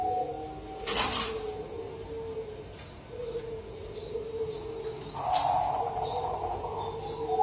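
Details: Lure song of zebra doves, local and Bangkok type: steady mid-pitched cooing lines running throughout, broken by two sharp broadband clicks, the first near one second and another at five seconds.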